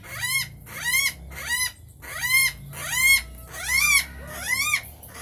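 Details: Rainbow lorikeet giving rhythmic bursts of squeaky, harmonic, arched notes, each burst about a second long and repeated roughly once a second, with a faint low hum beneath.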